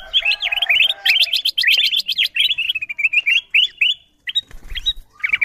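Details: Kutilang emas bulbul chirps played as a lure for wild birds: fast bursts of clear, upslurred notes, a steady trilling stretch, then a brief gap and more chirps.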